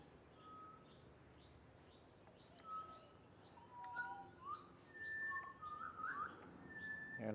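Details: Pied butcherbird pair with a juvenile being taught to sing in a garden; sparse clear whistles building to a run of varied whistled notes and short slurred phrases, with a steady insect-like background hiss.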